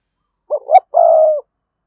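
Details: Spotted dove decoy cooing, used to prompt wild doves to coo: two short hooting notes, the second rising, then a long steady drawn-out coo, all low and mellow, in a quiet setting.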